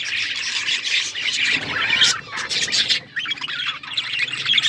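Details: Budgerigars chirping and squawking together as pet birds, a dense chattering chorus of overlapping warbles and harsh squawks, with a brief dip in the noise near three seconds.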